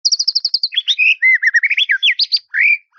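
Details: White-rumped shama song aimed at a rival, starting with a fast high trill of about eight notes that runs into a jumble of varied whistles, warbles and slurred phrases.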